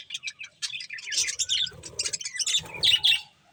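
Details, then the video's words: Pet budgies feeding on corn: soft scattered chirps build into loud, buzzy chattering phrases with a few clear whistled notes, over low rustling and pecking. "Cute Budgies Enjoying Eating Corn | Love Birds Chirping Sounds"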